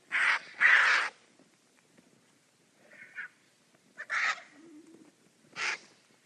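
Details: Vultures fighting over a meal produce short, explosive hissing rasps: two loud ones close together, a softer grunt, then two more spaced bursts over a quiet background.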